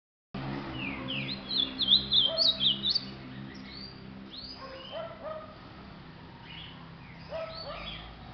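An ultramarine grosbeak gives a loud, rich, tumbling warble of slurred whistles lasting about three seconds, then softer scattered notes over a low steady hum.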